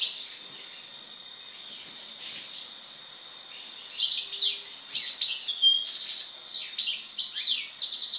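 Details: Goldfinch song after the moult, starting quietly with soft twitters, then bursting after four seconds into rapid, dense tinkling trills and sharp metallic notes that continue to the end.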